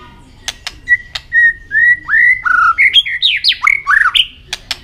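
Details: White-rumped shama singing in contest with continuous tail flicking: level whistled notes build into a rapid varied phrase of rising and falling slurred whistles, stepping up in pitch, with sharp clicks before and after.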